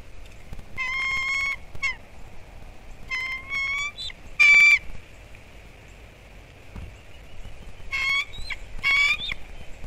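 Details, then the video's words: Bald eagles at a Captiva/Sanibel Island, Florida nest, December 18 2021, calling loudly at something beside the nest the morning after an intruder. Several short bouts of shrill, squeaky chatter come in bursts, with quiet gaps between them. "Connie Still on Alert. Her and Clive Go After Something"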